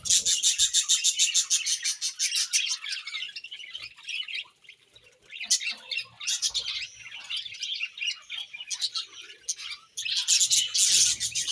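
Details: Budgies at morning feeding open with a rapid run of evenly spaced sharp chirps, then lapse into mixed chatter, pause near the fifth second and end with another burst of fast chirping.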